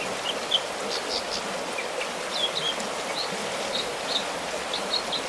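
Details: An American dipper on his rock at a secluded spot about 10 miles northwest of Bishop, California sings scattered high, varied chirps and short whistled notes every fraction of a second over a steady rush of stream water.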